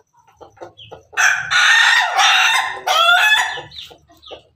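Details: A Laughing Chicken (ayam ketawa) rooster crowing on top of its coop gives a long, loud, bright crow that breaks into a stuttering, rising second part, framed by soft low clucks before and after.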